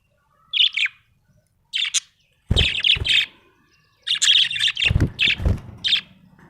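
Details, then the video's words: Happy budgie chirping in bursts of bright, scratchy warbled notes, short phrases separated by pauses, with low knocking thumps under some phrases. "Happy budgie chirping sound"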